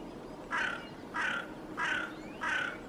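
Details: Hooded crow in a Helsinki, Finland tree in February, in a staring contest with a northern hawk owl it escorted there along with magpies, gives four harsh, hoarse caws evenly spaced about two-thirds of a second apart, over quiet background.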